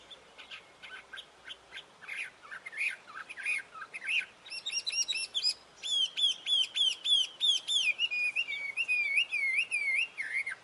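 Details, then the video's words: Wambi bird in energetic, melodious song. It opens with scratchy, clicking chirps, then shifts into rapid, repeated, wavering whistles that rise and fall in a fast, rolling series. "SUARA GACOR DAN MERDU BURUNG WAMBI"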